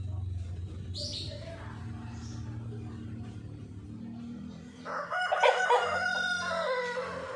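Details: A white rooster gives a loud, rasping crow in the last few seconds, following steady low background hum and faint distant sounds; the call is held, then drops in pitch toward its end.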